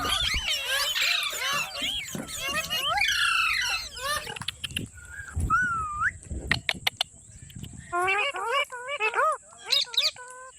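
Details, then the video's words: Pet talking parrot: harsh chattering squawks at first, then clear whistled notes that bend up and down, repeated in short runs near the end, with some clicks and a steady high whine. "Parrot sound | Parrot Talking Videos | Parrot voice | mitthu ki awaaz"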